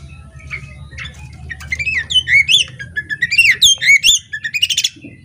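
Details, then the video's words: Oriental magpie-robin hen in full voice, tail fanned open: a faint, scratchy start, then from about one and a half seconds a lively string of clear, slurred whistles and sharp chips, growing louder toward the end. "Kacer betina ngobra buka ekor"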